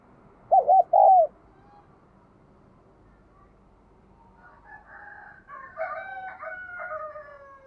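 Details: Spotted dove with a 'đồng kim' voice, cooing frequently to stimulate newly caught birds. A loud three-part coo ending in a longer descending note, followed after a pause by a rooster crowing in the background.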